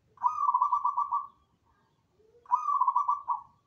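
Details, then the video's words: Zebra dove song: a short, low lead-in note followed by a rolling, staccato series of soft, mid-pitched cooing pulses. It is given twice, about two seconds apart, over faint low background murmur. "KICAU BURUNG PERKUTUT"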